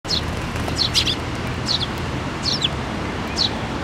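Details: Eurasian tree sparrows gathering to be fed at a Tenmangū shrine on 7 May 2024, with the year's first fledgling; short high chirps come every half second or so over steady low background rumble.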